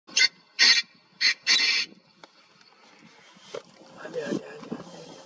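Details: Male painted francolin, a grassy-area bird, giving four loud, harsh, raspy bursts within two seconds, the last one longest, followed by quiet rustling and faint low background sounds.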